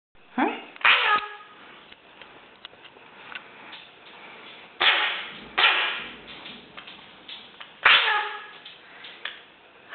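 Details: A tame, hand-raised Eurasian magpie, rescued as an unfeathered nestling, gives harsh, speech-like utterances in about five short bursts a few seconds apart, imitating a human "hallo" in what sounds like a small room.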